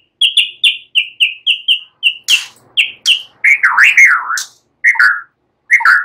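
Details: Relaxed white-rumped shama song with borrowed cililin and ciblek phrases, meant to coax other birds into singing: about ten evenly spaced short whistled notes, then a harsh burst and rich looping warbles.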